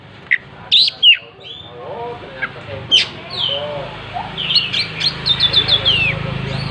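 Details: Oriental magpie-robin singing with spread tail: scattered sharp high notes and whistles, then a rapid rhythmic run of repeated chirps near the end, over a low background hum.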